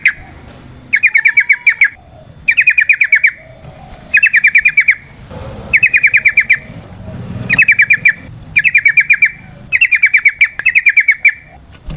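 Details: Yellow-vented bulbul in 'ropel panjang' long rolling song, a natural recording from Indonesia played to provoke other birds into singing: rapid trilled bursts of bright notes, each lasting about a second, repeated about every second and a half.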